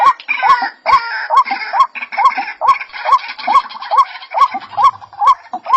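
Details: White-breasted waterhen calling insistently, with harsh rising croaks at a steady pace of roughly two per second over a buzzy, chattering background.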